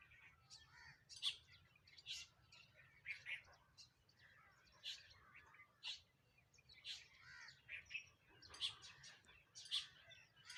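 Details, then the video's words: Sparrows around a home chirping while eating food: a steady stream of short, bright, high chirps in irregular bursts, often several close together, with brief pauses between and faint low background rumble. "eating Sparrow Chirping Sound | Sparrow Birds Eating Food Chirping"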